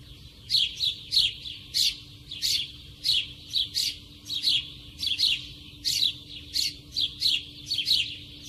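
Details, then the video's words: Close-up sparrow chirping steadily, a long run of quick bright notes, often in pairs, about fifteen chirps in under nine seconds, with a faint low hum underneath. "Sparrow sound (Nature close sound, lovely, funny, relax...)"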